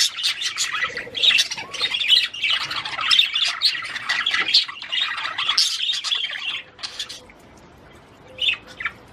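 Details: Budgerigar mating song aimed at stimulating the female: a rapid, scratchy chatter of squawks and chirps that runs for about six seconds, falls quiet, then gives two brief final chirps.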